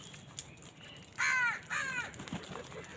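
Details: Crows in a fight for food: one loud, raspy, downward-sliding caw followed straight away by a second, softer caw, with faint background noise.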